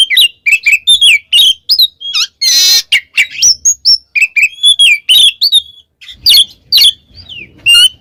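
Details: Loud gacor ngeplong singing of an oriental magpie-robin: a steady stream of short whistled notes and slurs, one brief harsh rasping note partway through, then further varied whistles.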